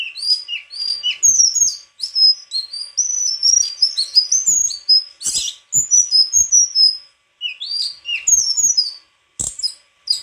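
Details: Continuous, varied White-throated flycatcher singing. It is made of clear high whistles, quick slurred phrases and sweet notes strung together with only brief breaks, plus a few faint knocks. It is described as rivalling other songbirds.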